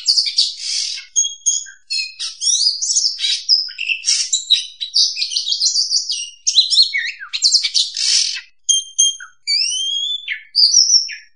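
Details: Kacer, the oriental magpie-robin, singing a lure song for bird trapping: dense, varied phrases of scratchy buzzes, sharp chips and clear upslurred whistles, delivered almost nonstop with short pauses, high and bright throughout.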